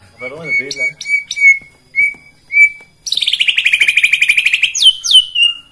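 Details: White-rumped shama singing to provoke rivals: a few short clear whistled notes repeated about once a second, followed by a fast, dense rattling trill of rapidly repeated harsh notes with rising whistles at the end.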